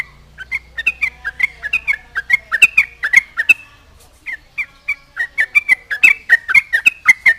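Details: Lively Yellow-vented bulbul song meant to provoke rival bulbuls into replying: strings of bright, gurgling whistled notes in fast bursts, a brief pause midway, then another bubbling run of clipped, warbling phrases.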